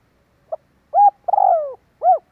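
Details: Spotted dove call used as a lure to draw in wild doves: a short soft note, then a level coo, a longer wavering coo sliding downward, and a final rounded coo, all low and mellow, in a quiet background.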